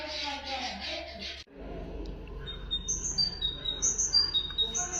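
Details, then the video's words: Common nightingale song used to teach goldfinches and canaries: after a brief burst of hissing noise, thin, very high whistles come in stepped, falling phrases, several in quick succession, with low rumble beneath. "تغريد طائر الحداد لتعليم طيور الحسون والكناري بدون أخطاء"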